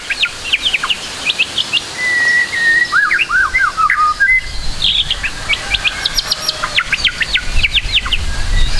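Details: White-rumped shama song: many quick sharp upswept and downslurred whistled notes in bursts, a few longer sliding whistles, over dense background noise and low rumble.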